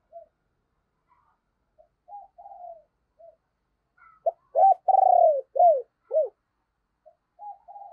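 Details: Morning cooing by a decoy spotted dove calling in wild birds: quiet scattered coos, then a loud phrase of sharp short notes, a long purring note and two downslurred coos, fainter cooing afterwards.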